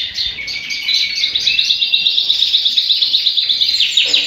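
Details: Several captive redpolls in a bird room, recorded December 8, 2022, give a dense, high twittering chatter of quick, dry notes, overlapping in a steady stream with no other sounds.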